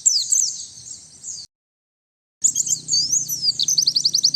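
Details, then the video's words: Luring song of a white-eye, also used as a master song and stripped of background noise: high sweeping chirps and thin twittered phrases, then a fast run of repeated sharp notes after a short silent gap. "Suara Pikat dan Master Kicau Burung Pleci"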